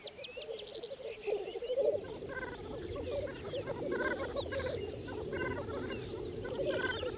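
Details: Distant spring lek of black grouse, Saaremaa 2014: soft continuous low bubbling mixed with a chorus of other birds' short stacked calls and chirps across the soundscape.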